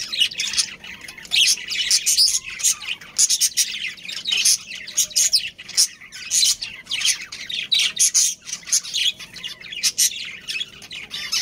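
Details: Australian parrots, a budgerigar breeding pair with their family colony, keeping up constant excited warbling: fast scratchy chirps and squeaks tumbling over one another without pause.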